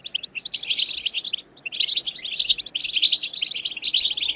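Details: European goldfinch song in the batbata style, used to stimulate goldfinches to sing: rapid tinkling twitters and buzzy notes in two bursts separated by a brief pause near the middle, then a third run of chatter.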